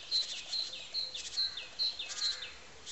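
A nuthatch gives a steady run of short, high, clipped notes, about two or three per second, broken by a couple of harsher, buzzier bursts over faint background hiss.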